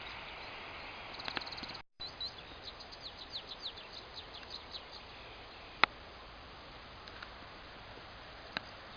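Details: Eurasian skylark singing continuously while soaring high above field paths on an early spring morning: a fast, distant stream of thin chirping and trilling notes, faint against a steady background hiss.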